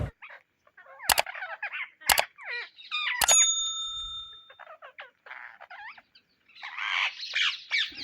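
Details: Indian ringneck parrots searching for seeds give harsh, squawky calls with sliding notes, broken by sharp clicks, and one long steady ringing tone that holds for about a second before more scratchy chatter.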